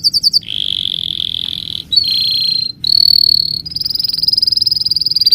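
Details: Bird chirping in a varied song: a few quick high notes, then rolling trills that step up and down in pitch, ending in a fast, rising run of pulsed notes.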